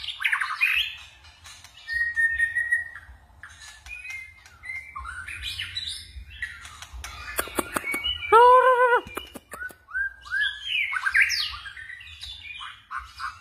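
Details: Forest-voice song of a white-rumped shama that switches voices, a keen frequent singer: busy mix of whistles, chatters and harsh squawky notes, with a loud grating buzzy call near the middle and sharp clicks, over low hum.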